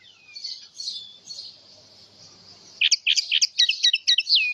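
A House Finch sings a bright, jumbled warble, first soft and thin, then a loud run of quick, rising and falling chirped notes at high pitch.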